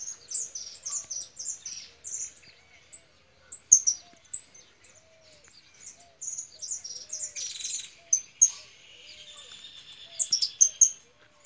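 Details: Angry female European goldfinch: a nearly continuous stream of rapid, high-pitched chirps and twitters, broken briefly by a short harsh buzzy burst, then more quick sharp notes.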